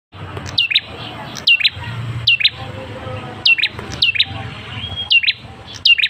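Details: Male Ashy Tailorbird, used as a lure to draw a response from other birds: sharp high notes that drop steeply, each followed by a short lower note. The pair repeats roughly every second, with some gaps.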